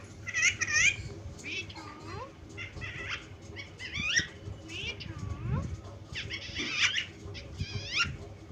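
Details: Parrot calling indoors: a run of squeaky, bending, rising and falling whistled squawks in irregular bursts, with background murmur and low rumbling noise.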